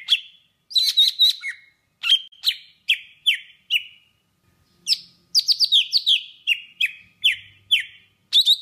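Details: Golden-fronted leafbird in Vietnam singing a song used to lure birds for trapping: loud whistled notes dropping in pitch, given singly or in quick clusters about every half second, with one brief pause midway.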